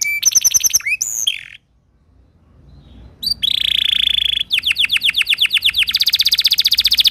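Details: Timbrado canary, a singing bird used for song training, gives rapid buzzy trills and sharp whistled notes. A short silence follows, then a long run of fast, evenly repeated metallic notes.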